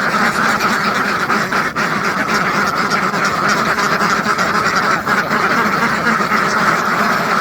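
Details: Farmed duck flock of hundreds of birds calling at once: a thick, churning mass of harsh quacks with constant loudness throughout.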